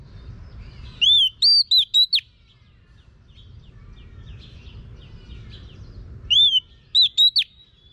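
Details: Female Oriental magpie-robin whistling as a model for a male, giving a phrase of four or five clear, high, curling whistles, then quiet, then the same phrase again about five seconds later.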